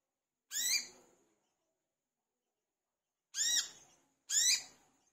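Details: Lure song of a lively olive-backed sunbird (manggar): one bright, upswept-then-falling chirp, a long silence of nearly three seconds, then two more chirps close together.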